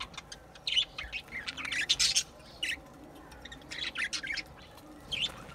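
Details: Budgerigar warbling in bursts of high, scratchy, twittering notes, a long busy phrase early on and shorter chirpy outbursts later, over a steady low background hum.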